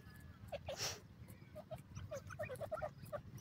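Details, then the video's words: Iranian francolin (teetar) chicks give short, soft peeping notes, single and in quick clusters, over a steady low background rumble. "irani teetar baby"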